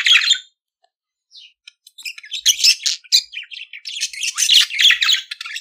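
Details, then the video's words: Singing budgerigar, recorded to teach pet budgies to sing: a brief chirp and a pause, then a long continuous run of scratchy, buzzy chattering warble with fast clicks and squeaky notes. "CANTO DO PERIQUITO AUSTRALIANO - Ensine Seu Periquito Cantar !"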